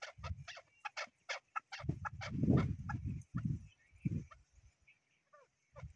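A chukar gives harsh, clucking notes in quick uneven bursts, several per second, with deeper rough tones between. A few faint chirps sound in the background.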